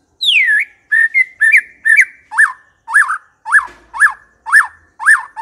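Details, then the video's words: White-rumped shama lure song: a falling whistle and short notes, then a steady series of arched, rising-falling whistled notes about twice a second, clear and loud. "80% COCOK untuk memikat murai batu AGAR LANGSUNG NYAUT dan GACOR"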